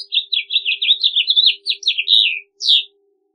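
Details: A continuous House Finch warble, a fast run of twisting, slurred notes tumbling gradually lower, ending in a rough downward note after a brief pause.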